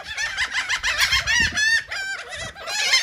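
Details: Gulls feeding on cake in Atlantic City, New Jersey, calling in quick succession: sharp, nasal, downward-bending squeals repeated about three times a second, several birds overlapping.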